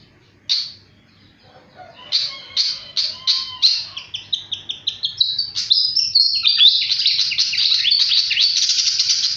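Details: Very actively singing flycatcher: a single sharp chirp, then a varied run of quick descending notes that speeds into a dense, high, continuous chattering trill over the final seconds.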